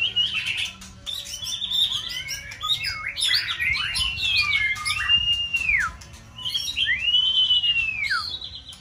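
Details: White-rumped shama, a caged contest bird, singing a dense varied song of clear down-curving whistles, rising slurs and rapid chattering notes.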